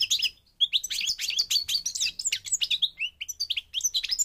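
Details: Moroccan European goldfinch, North African parva form, singing a fast, continuous run of liquid twitters, chirps and high slurred notes after a brief opening gap.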